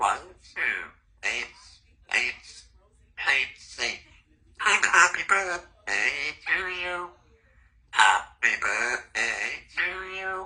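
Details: Talking female Congo African grey parrot, two years old, kept in a country home: a run of short, clear speech-like phrases with human-sounding voiced syllables and brief pauses, in a quiet indoor room.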